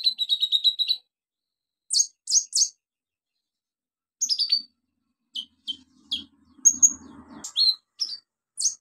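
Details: Olive-backed sunbird song serving as a lure for silent birds: opens with a fast high trill of repeated chips, then pairs and triplets of sharp, high, squeaky notes spaced by short pauses, with faint low rustling in the background.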